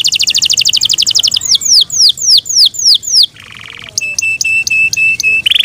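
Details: Kept Yorkshire canary gives a fast high trill, slow descending whistled slurs, a short buzzy rattle, then a regular series of brief flat notes.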